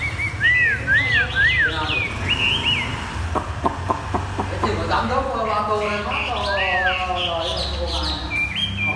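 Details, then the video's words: Caged Chinese hwamei singing in the 'thắt cổ chai' style: looping whistled arcs repeated about twice a second, then a run of sharp clicks and a buzzy harmonic phrase, with steady low background hum. "Chim hoạ mi đặt đất hót thắt cổ chai thắt cổ chai"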